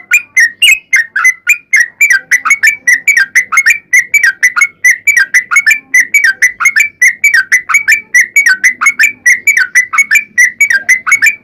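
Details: Sooty-headed bulbul singing a long unbroken fighting song meant as a lure for other bulbuls: dense stream of quick bubbling whistled notes, evenly paced about four per second, faint low murmur underneath.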